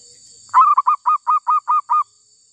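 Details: Wild female zebra dove, caught while being lured, giving a quick series of eight short, hollow, mid-pitched coos at an even pace, with a steady high-pitched whine in the background.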